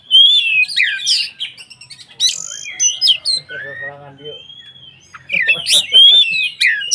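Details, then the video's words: White-rumped shama in loud form, singing to provoke other shamas; bright whistled phrases and sharp chips, with a long drawn whistle and a lower harsh buzzy note in the middle. "SUARA BURUNG Kacer gacor untuk PANCINGAN KACER agar EMOSI dan KONSLET"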